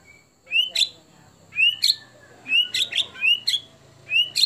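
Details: Murai batu, the white-rumped shama, delivering contest-style phrases liked by judges: an upswept whistle followed by one or two piercing high notes, repeated roughly once a second over a quiet background.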